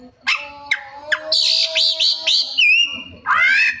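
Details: Oriental magpie-robin delivering imitated song: a few sharp ticking chips, then a run of repeated high looping whistles, a steady sustained whistle, and a final rich, rasping rising phrase.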